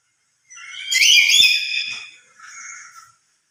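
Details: Lory calling loudly out of emotion, louder alone than among other lories: one strident, harmonic screech swelling to a peak and then trailing into a softer, shorter second note.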